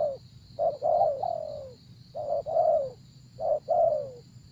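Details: Spotted dove calling while used to lure wild doves: three phrases, each a brief coo followed by a longer coo falling in pitch, under a steady high hum and faint rumble.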